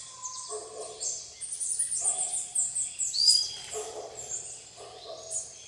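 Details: At a banana feeding spot in RPPN Santuário Rã-bugio, Guaramirim, Santa Catarina, Brazil, plain parakeets mix with tanagers and other birds; steady shrill high-pitched chatter throughout, punctuated by short lower harsh notes about once a second.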